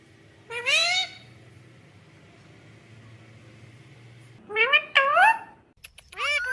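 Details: Talking pet parrot at home, said to be asking for roti; one rising-falling harmonic call, a pause with low hum, then a quick run of several bent squawky syllables like speech-mimicking phrases.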